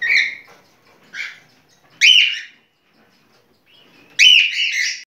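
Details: Mating song of a cockatiel: separate loud whistled and chirping notes, including a bright rising whistle at two seconds and a rich warbled phrase near four seconds, divided by silent pauses.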